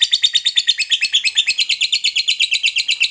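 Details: Fighter lovebird giving its long chattering song, the ngekek panjang, played to set off other lovebirds: an unbroken, rapid, buzzy chatter of about nine notes a second, steady and high-pitched throughout.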